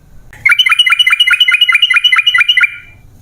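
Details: Sooty-headed bulbul in energetic 'gacor' song meant to lure caged birds into singing: a rapid, even string of about eleven sharp, clipped whistled notes lasting two seconds, with a faint background hum.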